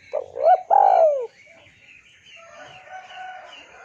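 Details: Spotted dove call played as a lure to make a rival answer: a short hoot, a rising note and a long downslurred coo, followed by soft rustling and background murmur.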